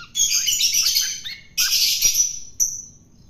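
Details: Long-tailed shrike caught wild and now being fed to make it tame, uttering two loud, grating, broadband screeches followed by a short thin high note.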